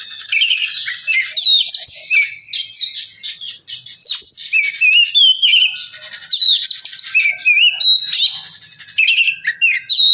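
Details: Oriental magpie-robin singing to spur another bird into song: a long, lively stream of whistles, warbles and buzzy notes in repeated short phrases, loud throughout.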